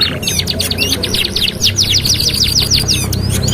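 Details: Canary song intended as master song for canaries: a quick run of loud, steeply falling chirps delivered in a fast, slightly uneven rhythm, very high and sharp, with low background hum.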